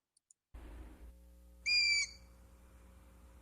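A young Long-eared Owl gives a single high, thin, slightly falling squeal lasting under half a second, over a low steady hum.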